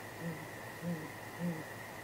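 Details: Great grey owl at the nest at night, April 2019, giving contact hoots: three soft low hoots spaced about 0.6 seconds apart over a steady electrical hum.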